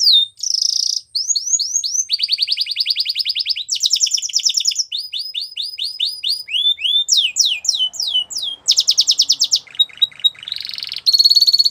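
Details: Varied training song of a Spanish Timbrado canary, switching every second or two between rapid trills, buzzy rolls and series of slurred sweeping notes, with loud continuous delivery throughout.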